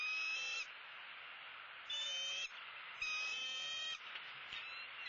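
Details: Bald eagles feeding at their nest at sunrise in southwest Florida, 2-6-16; high, steady whistled notes with stacked overtones, each held under a second, come in three bursts separated by short pauses.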